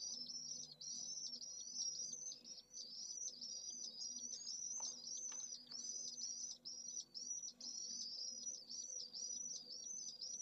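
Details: Pallid swift nest with one chick in central Jerez de la Frontera, Spain, 25 August, midday in a heatwave topping 44°C; rapid high buzzy trills repeat in short bursts, a few soft knocks and a low hum behind.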